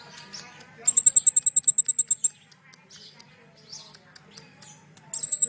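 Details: Sunbird song played to make captive birds sing, with cililin mixed in: a fast, piercing, high-pitched trill of repeated notes for over a second, quiet chirps, then the trill starting again.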